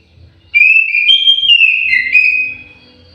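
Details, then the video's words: Aviary orange-headed thrush singing a sweet, wavering whistle. The phrase rises, dips and lifts again in a flowing line lasting about two seconds, then trails off, with faint low murmurs behind it. "KICAU MERDU BURUNG ANIS MERAH"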